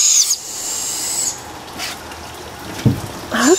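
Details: Young captive barred owls, about four owlets, outdoors on a humid morning during feeding, likely 27 June 2014, give long, raspy, hissing screeches, one over a second long, then a shorter one. A person's voice is heard near the end.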